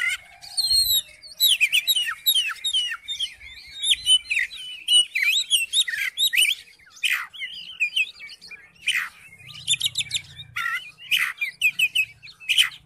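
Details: Thirteen seconds of Oriental magpie-robin song meant to provoke a reluctant bird to sing: fast, varied whistles, chirps and sharp downward-sweeping rasps, roughly a phrase every second, with a faint low hum at times.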